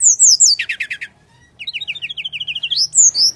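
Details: Brown-chested jungle flycatcher, a lure recording in full fighting style meant to prompt quiet birds to sing: high sliding whistles, then a fast repeated buzzy trill, a rapid run of clipped notes and more high whistles, all close and clear.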